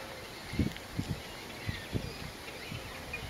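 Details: Eurasian spoonbill adult at the nest with three chicks, Lac de Maine, Angers-Bouchemaine, France, 21 July 2017: low, soft grunts, about six short thuds in three seconds at an irregular pace, over a steady background hiss.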